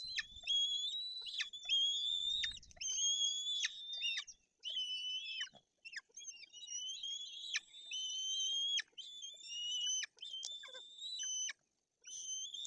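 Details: Young white-tailed eagles calling from a nest in Bory Tucholskie forest, Poland, on 8 June 2022, begging for food after the female brought a fish. The calls are high, thin, drawn-out whistles with sharp downward breaks, repeated roughly every second.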